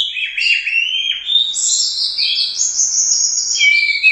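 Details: Prize-winning contest orange-headed thrush from a Royal Cup competition pouring out a continuous, dense warble of high whistled and buzzy notes, shifting pitch without break, rich and energetic throughout.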